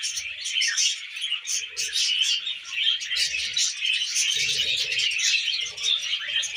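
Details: Tamed budgies feeding on millet chatter nonstop in bright, scratchy warbles and quick chirps, steady and busy throughout, with occasional soft low rustling sounds.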